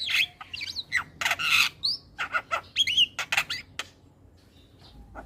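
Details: Javan myna morning song used to teach young birds: loud harsh squawks alternate with clear whistled notes and short chatter bursts, then fading to near quiet with a couple of soft whistles at the end.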